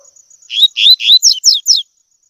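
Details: Double-collared seedeater tui tui song for training young birds: three loud upward-slurred whistles, then three quick, higher notes sweeping downward, with a faint steady high tone underneath.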